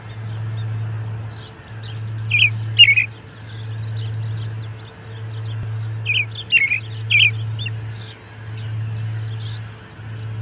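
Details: American robin singing near the Charlo P2 osprey nest on June 10, 2020, at 11:57am MDT: two bursts of three clear, warbled phrases, about four seconds apart, over a steady low hum and a faint high whine.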